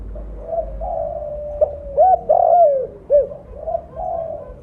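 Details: Lure call from a loud, actively calling spotted dove with blorok mottled plumage: soft, level coos build to loud, arched hollow notes and a drawn-out falling coo, then fade to quieter cooing.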